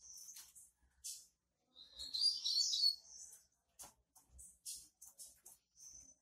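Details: Female double-collared seedeater singing 'tui tui' while soliciting mating: thin high chirps and a brief buzzy warbled burst, separated by short sharp clicks and tapping sounds, with gaps of near silence.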